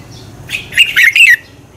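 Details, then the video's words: A single brief burst of bright, tumbling whistled notes from a red-whiskered bulbul, part of a double-twist morning song used to stimulate birds to sing in competition. "Luyện chào mào hót sáng Giọng xoắn kép hay KÍCH CHIM CĂNG HÓT ĐẤU"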